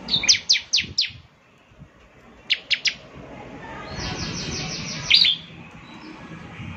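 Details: Bar-winged prinia notes played to encourage a caged bird to sing. Sharp high chips come in small groups of three or four, then a softer rapid series, all over steady background noise.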